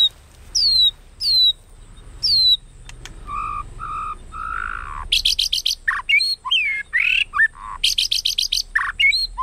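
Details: White-rumped shama provoked into fighting song: clear descending whistles at first, then a soft low warbled phrase, followed by rapid harsh rattling bursts mixed with looping whistled notes.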